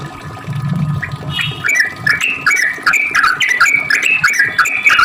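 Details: A lively sooty-headed bulbul pours out a long fast song meant to lure others into singing back: cheerful, warbled notes skipping up and down in quick succession after a low rumbling start.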